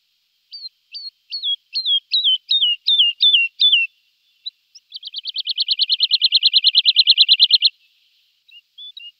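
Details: Lark with a slow series of downward-bending whistled notes about every third of a second, then a long, very fast, buzzy trill of even pulses, and a few soft notes at the end.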